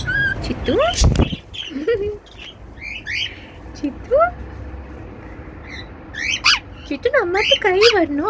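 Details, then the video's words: Pet cockatiel chirping indoors: quick downward-sweeping whistles and wavering notes, broken by a loud knock and followed by a burst of rapid chirps. "Cockatiel whistling sounds"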